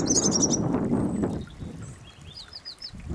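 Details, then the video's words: A wild European robin singing outdoors, thin, high, warbled phrases, first a quick run of notes and later a few sliding whistles, over a steady low rumble of background noise. "Robin Singing"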